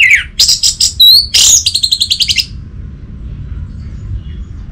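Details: Orange-headed thrush (anis merah) song used as a lure to get a silent bird singing: a burst of high, rapid chirps and whistled notes, then a fast run of repeated short notes ending after about two and a half seconds.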